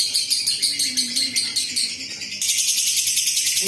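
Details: Long ngekek from an adult fighter lovebird, used to lure other lovebirds into singing. A shrill, rapid pulsed chatter starts in distinct bursts, then runs into a steadier, louder continuous trill. A faint low voice sounds underneath.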